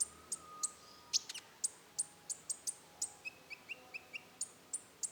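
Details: Rufous-tailed shama (konin) singing in the roll tembak style: sharp, very high clicking notes repeated about every third of a second, with a brief series of lower short whistles near the end.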